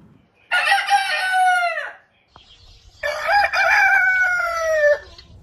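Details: Heritage chicken rooster crowing twice: two long, bright crows of over a second each, the first sliding downward at its end, the second sustained and slightly wavering before dropping away.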